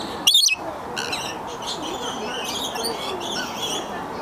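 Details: At the Oregon Zoo, lorikeets landing on a visitor to drink nectar from a cup make happy sounds: one loud, harsh, high screech of about a third of a second, then steady shrill chattering from other birds over a low murmur.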